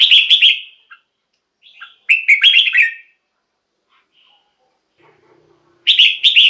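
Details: Red-whiskered bulbul singing, for luring wild birds or rousing caged bulbuls: three loud, bubbly warbled phrases, each about a second long, separated by silent gaps. A faint low hum comes between the last two.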